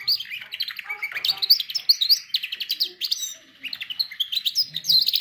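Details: Lively canary song for training canaries, made of dense high chirps and fast repeated trills, broken by a brief softer dip before the rapid phrases pick up again.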